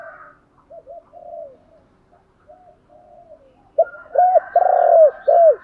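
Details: Decoy spotted dove calling to stir wild doves into cooing along: quiet, wavering low coos at first, then a loud run of four arched, hooting notes with a faint higher tone above.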